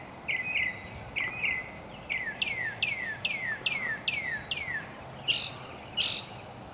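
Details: Mockingbird song built from repeated phrases: paired short whistled notes, then a series of downslurred, descending notes repeated about every third of a second, ending with two harsh, buzzy bursts.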